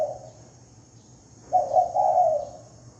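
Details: Clean spotted dove lure call: after the end of one phrase and a short silence comes a single mellow coo of three swelling notes lasting about a second, low and smooth.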